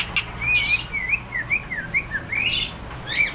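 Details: Greater green leafbird, described as in top singing form and ready to fight, delivering a continuous run of clear whistled notes that rise and fall in quick wavy phrases, with a few sharp chirps mixed in.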